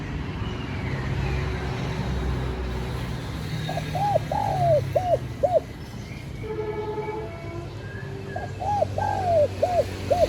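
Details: Spotted dove lure calls: two five-coo phrases about four seconds apart, each with a long sliding centre note, and some steady tonal hums between them over constant low rumble.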